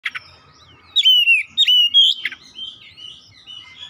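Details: Oriental magpie-robin song, played to get other magpie-robins, including house-kept birds, singing: clear loud whistled phrases sliding down then levelling, with quick sharp notes between, followed by softer warbling.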